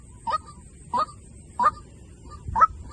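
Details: White-breasted waterhen decoy call: four short, harsh honking notes with a brief rising inflection, spaced roughly 0.65 seconds apart, over faint low background rumble.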